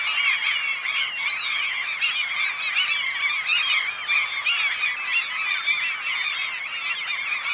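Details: Wild Black-legged Kittiwakes at a breeding colony on the Ona/Sandøy island group, Møre and Romsdal, Norway, in mid-May: a dense, continuous din of many overlapping nasal, wavering calls with no pauses.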